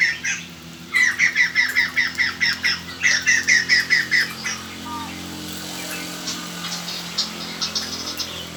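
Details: White-crested laughingthrush decoy sound for luring wild birds: two runs of rapid, evenly spaced chattering notes, roughly seven per second, followed by fainter scattered notes.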